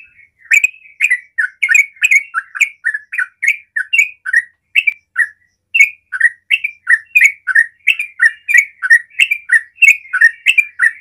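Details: Yellow-vented bulbul (trucukan), used as a lure to set other bulbuls singing, sings a fast, bubbly chatter of short liquid notes, about three per second with brief pauses, in an otherwise quiet setting.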